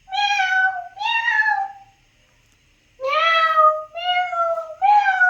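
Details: An Alexandrine parakeet imitates a cat's meow. Several drawn-out, harmonic meow calls about a second long are separated by a short silence.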